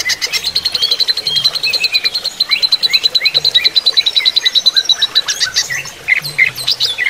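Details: Greater green leafbird during running-water therapy: a rapid string of sharp, high ticking notes, about 200 a minute, mixed with lower slurred chirps and short upward whistles throughout.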